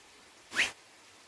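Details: A double-barred (owl-faced) finch (Taeniopygia bichenovii) gives one brief, nasal, upslurred call lasting about a quarter second, over a faint steady hiss.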